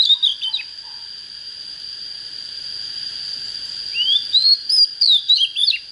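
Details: Untrained oriental magpie-robin just coming into breeding fire ends one phrase with quick slurred notes, falls silent about three seconds, then sings a rising whistle into rapid varied chirps, all over a steady high whine.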